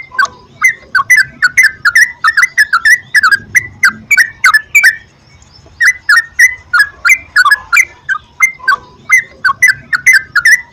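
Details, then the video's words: Sooty-headed bulbul singing in a prompting track for trucukan; long stretch of loud, gurgling whistles repeated about three per second, one short break, then the same bubbly phrasing continues. "PANCINGAN BURUNG TRUCUKAN TERAPI PAGI,SIANG,MALAM,AGAR TRUCUKAN RAJIN GACOR"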